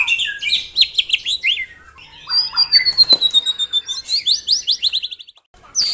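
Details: White-rumped shama delivering dense 'tembakan rapat' (rapid-fire) song: clusters of quick high chips, a thin long whistle, scattered chatter, then another burst of fast sharp notes ending abruptly.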